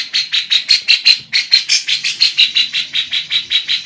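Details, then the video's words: Female lovebird, very vocal, singing a kapas tembak and cucak jenggot filler. A fast, even train of shrill chirps runs at nearly three per second throughout. "love bird betina Cengkok kapas tembak, cucak...gacor"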